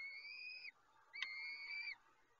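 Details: Peregrine falcon being fed, giving two long, steady whistled wails, each ending in a quick drop in pitch. A sharp click falls between them.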